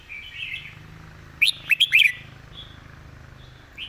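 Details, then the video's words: Red-whiskered bulbul in a clear song for teaching birds: a quiet warble, then a sudden tight group of four loud, ringing chirps, then a soft note. "นกกรงหัวจุก เสียงดี เพลงแม่บทชัดๆ(ไว้สอนนก)"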